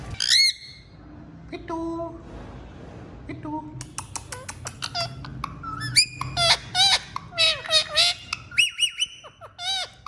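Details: Talking parrot kept as a pet, mixing chattering speech-like squawks with bright rising whistles and buzzy notes, accompanied by frequent clicking sounds.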